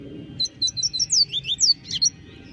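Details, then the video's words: Double-collared seedeater in the bush delivering a rapid string of piercing high whistles, some swooping down, others rising, against steady low background rumble. "Coleiro cantando no mato"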